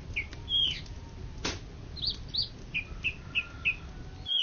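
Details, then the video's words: Champion greater green leafbird from Indonesia, 2013–2014, uttering short whistled notes and a single dry click, then a series of brief downslurred whistles repeated roughly every third of a second. "Cucak Ijo Juara satu se Indonesia Raya 2013 2014"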